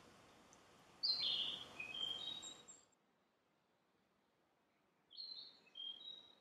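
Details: A Narcissus flycatcher, a summer visitor heard but not seen in Miho citizens' forest, sings two short phrases of clear, high whistled notes about four seconds apart over a soft background hiss.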